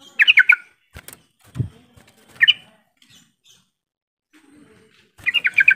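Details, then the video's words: Yellow-vented bulbul luring call meant to prompt quiet birds to reply, with three bubbly chattering bursts of fast notes spaced across the recording and a few soft knocks between them. "Suara panggilan trucukan yang seperti ini cepat merangsang trucuk bisu jadi ikut bunyi sahut sahutan"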